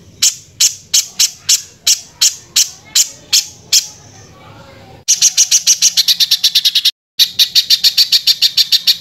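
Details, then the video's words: Velvet-fronted nuthatch in harsh training song for other birds: evenly spaced sharp high notes, a pause, then a faster, denser run of scratchy notes broken by a momentary dropout. "BURUNG PIJANTUNG GACOR SUARA KASAR FULL TEMBAKAN"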